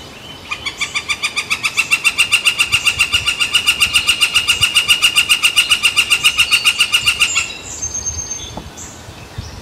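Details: Woodpecker on San Francisco Bay on July 18, 2023, during a barge crossing: a long, rhythmic volley of loud ringing notes, roughly four a second, runs for about seven seconds. After it stops there are faint thin chirps and low rumble.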